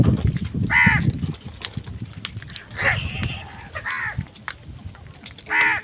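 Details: Crows squabbling with other wild birds over food give harsh, hoarse caws in short separate bursts, four calls spaced about a second apart, over low rumbling background noise.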